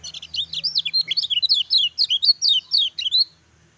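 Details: Lively lemon-bellied white-eye song in the 'ciak ciak jos' style: an unbroken rush of high, twisting whistled notes, rising and falling quickly at almost four a second for over three seconds, loud and clean against a quiet background.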